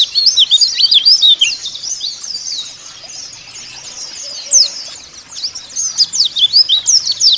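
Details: White-eye song used as a lure to get caged white-eyes singing: rapid high twittering of thin, sweeping whistled notes, loud bursts at the start and end with a softer, quieter stretch in the middle.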